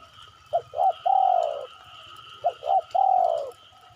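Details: Lure recording of a spotted dove: two full phrases of paired short coos and a long, gently falling final coo, with a steady low hum beneath.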